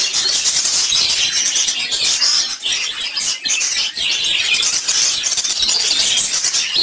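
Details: A flock of colourful caged lovebirds keeps up a dense, nonstop chatter of shrill, high chirps and squeaks, many birds calling over one another with no pauses.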